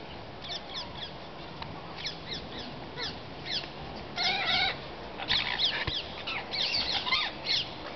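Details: A wild flock of rose-ringed parakeets visiting a porch, where a caged chick fallen from their nest is kept, chattering; harsh, rapid screeches in scattered bursts, denser and louder in the second half, over steady background noise.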